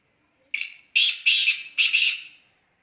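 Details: Black francolin calling: a rasping phrase of about five harsh, grating notes over two seconds, the first short and the rest in closely spaced pairs, against a silent background.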